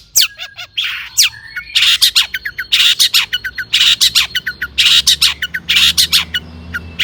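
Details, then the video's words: Long-tailed shrike song used to stir other shrikes to sing, made of repeated harsh squawking bursts about once a second, mixed with quick downslurred chips and thin whistles. "PANCINGAN CENDET AGAR BUNYI"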